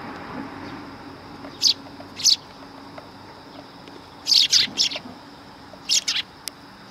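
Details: Eurasian tree sparrows coming to be fed at a Tenmangū shrine on 9 September 2020. Short, bright chirps come singly and in quick clusters of three or four, scattered irregularly over a low, steady background hum.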